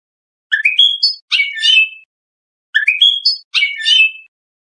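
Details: European goldfinch in the Iranian Lor style, a tutor recording for juvenile songbirds: two matching bursts of twittering, tinkling notes with a pause between, clean background.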